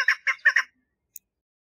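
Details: Female chukar partridge calling for a mate, a brief burst of four harsh, clucking notes followed by silence and one faint click.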